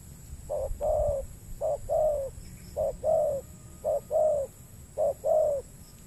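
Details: Repeated spotted dove coos at a peat-land trapping spot in the Riau Islands, Indonesia, where a wild bird answers a lure. Five short-then-long coo pairs, evenly spaced, over a faint hum.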